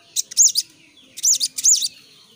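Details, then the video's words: Young sooty-headed bulbul in full, varied 'ngeplong' song: two loud groups of high, arched, slurred whistles, each about half a second, separated by a brief pause, over a quiet background. "SOGON MUDA GACOR SUARA NGEPLONG"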